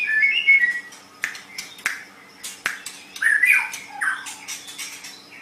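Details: White-rumped shama phrases kept as a master recording for training songbirds: short whistled notes mixed with sharp clicks and harsh snapping sounds, quieter, with gaps.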